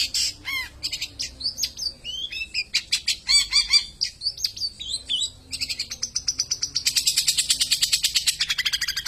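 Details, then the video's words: A long-tailed shrike delivers a busy peles song, mixing sharp downslurred whistles, chattering notes and a closing stretch of fast, buzzy repeated chirps. "Burung Cendet || Peles Bukan sembarang Peles"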